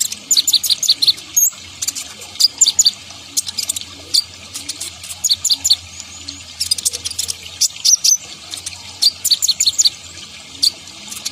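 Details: Sunbird, locally called kolibri ninja (konin), singing actively; the recording is meant for luring wild birds. Very high, thin chirps and tweets come in rapid clustered bursts, with brief pauses between the bursts.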